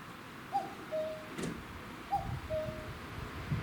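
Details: Common cuckoo perched on a utility pole seen from a garden, late afternoon in late May 2021; clear two-note falling cuck-oo calls, the higher note followed by a lower, longer one, repeating about every 1.6 seconds over faint rustling and low rumble.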